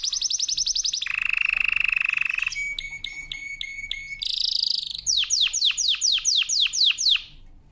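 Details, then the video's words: Powerful canary training song made of distinct trilled tours: a rapid high trill, a low broad rolling trill, spaced metallic chips, a bright buzzy run, then a series of sharp descending sweeps. "CANARY SINGING POWERFUL SONG | CANARY SINGING FOR TRAINING"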